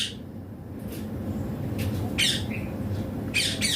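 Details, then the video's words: Rose-ringed parakeet (Indian green ringneck) indoors giving harsh, scratchy squawks in short bursts, about five in under four seconds, over a steady low hum. "Indian Green Ringneck Parrot talking natural sounds/voices clear"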